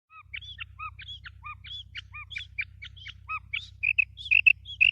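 A female Common Quail gives a quick run of thin, high chirps, some with a lower note attached, about two a second, ending in louder clipped whistles over a faint low hum.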